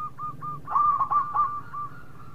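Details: Brief phrase from a local zebra dove in Indonesia: a few soft, even coos followed by three fuller rolling notes, over faint low background hum.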